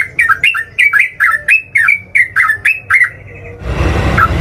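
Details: Sooty-headed bulbul singing in full fighting mood, meant to provoke rival bulbuls into answering: bubbly, fluty two-part phrases, each dipping then rising, repeated about three times a second for three seconds, ending in a burst of broad rustling noise.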